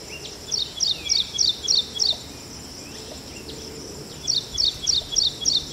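Ashy Prinia giving bursts of high, sharp notes, about four per second, in two runs of five or six, over a soft background hiss.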